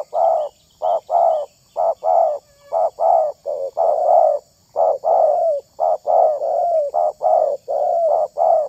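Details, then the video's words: Spotted dove calling to lure other doves, giving a steady stream of soft hollow coos, short notes followed by longer drawn-out ones with a faint downward slide, about one a second. "SUARA TERKUKUR INI SANGAT ISTIMEWA"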